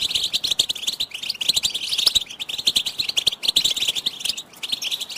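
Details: Goldfinch tutoring song for chicks: rapid, sharp chirps and jingling twitters pour out steadily, easing slightly near the end.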